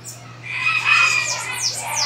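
A bananaquit sings a high, wheezy, buzzy jumble with quick thin sweeps.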